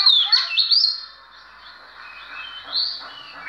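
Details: Oriental magpie-robin, an ordinary bird singing in a showcase performance, opens with a second of bright slurred whistles, then fades into soft, faint twittering with one rising whistle near the end.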